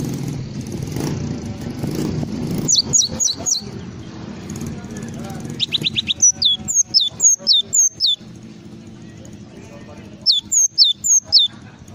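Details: Java sparrow singing a full isian song. After a noisy start, there are several runs of high, steeply falling whistled notes, the longest about eight notes, with short pauses between runs and a low rumble behind.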